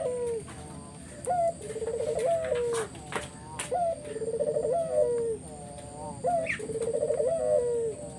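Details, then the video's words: Spotted dove lure song repeated three times: each phrase a quick rising note, a buzzing pulsed trill and a long descending coo, with clicks and a distant high chirp. "Burung puter mana yang ga ikut nyaut kalo dengar GACORAN puter ini"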